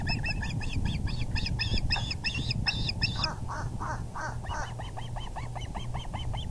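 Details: Osprey calling at its nest while the male brings in a big fish, April 6, 2020, 6:30pm: repeated piercing chirps, first loud and rapid, then a lower, slightly hoarser run of evenly spaced notes, with constant low hum.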